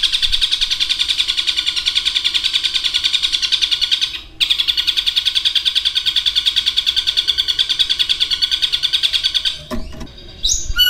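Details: A long-tailed shrike reproducing a lovebird's long chatter and other birds' calls: a dense, rapid, metallic trill runs for about four seconds, breaks briefly, continues for five more, then ends in a sharp rising squeak.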